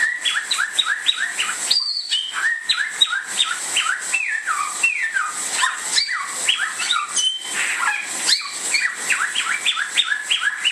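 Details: Bare-throated whistler, known locally as samyong, a bird native to Indonesia, singing a fast run of loud, clear whistled notes. Many short upslurred and downslurred phrases are packed tightly together, with a steady background hiss.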